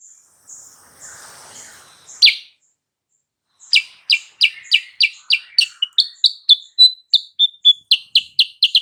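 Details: Sooty-headed bulbul lure song meant to provoke a rival into answering: after a faint opening and one loud note, a fast run of sharp, high chirps repeats about three times a second, some slightly downslurred.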